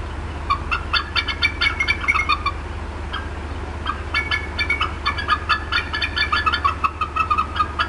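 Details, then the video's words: Upset female bald eagle at the Decorah North nest on an April 2016 afternoon, clucking persistently; rapid repeated high chattering notes in dense runs throughout, with steady low electrical hum underneath. "MOM UPSET & CLUCKING A VERT LONG TIME"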